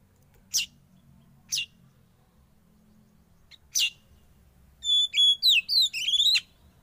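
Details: Young wild-caught Oriental magpie-robin (kacer) kept in captivity and given sauna therapy; three sharp, scratchy chip notes spaced about a second apart, then a quick burst of high, clear whistled notes that tumble up and down.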